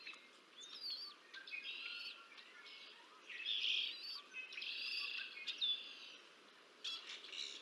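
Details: Bald eagle (Haliaeetus leucocephalus) at the Decorah North nest, filmed by nest camera on 30 March 2024 while an adult feeds two chicks; high, thin chirps and short whistled notes come in irregular bursts, some rising, some slurred downward.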